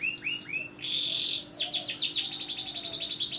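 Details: Canary singing, played to get silent canaries to start singing: a few rising whistled notes, a sustained buzzy tone, then a fast rolling trill of repeated high notes.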